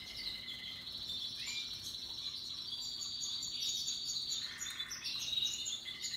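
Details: Canaries of Russian yellow and Timbrado types sing happily with other birds in natural habitat: fast continuous high trills, then a lower rolled trill before bright twittering resumes.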